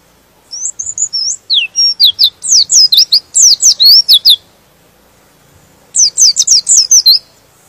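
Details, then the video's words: White-eye (pleci) song claimed to make other white-eyes emotional and sing: thin high notes build into a rapid, shrill twittering run, fall silent for over a second, then return as another quick burst. "Suara Pleci ini bikin Pleci Lain Emosi dan ikut Gacor"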